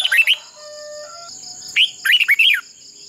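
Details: Captive red-whiskered bulbul decoy in contest-style singing for voice training: a short whistled burst, a pause with faint steady tones, then a rich phrase of four arched, bubbling whistles. A high insect-like hum continues.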